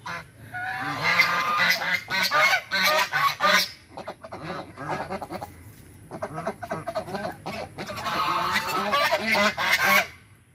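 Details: Angry white geese guarding their territory erupt in a dense chorus of harsh, rasping honks, loud bursts that fade to a lull midway before rising again.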